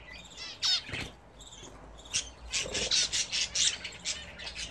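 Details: Domestic budgerigars in a cage, trying out a newly attached bath for the first time. A sliding chirp, then a run of scratchy, squawking chatter notes pulsing about three per second.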